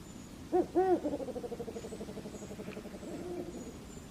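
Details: Shelley's eagle-owl giving two soft, low hoots, followed by a faint, fading series of pulsing low notes against a quiet hiss.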